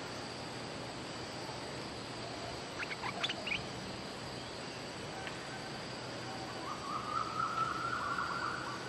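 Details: Luring song of a bulbul, known in Thai as nok dok taeng. A few sharp high notes come first, then a lively warbled run of fluting whistles in the closing seconds, all against constant hissing insect and ambient noise.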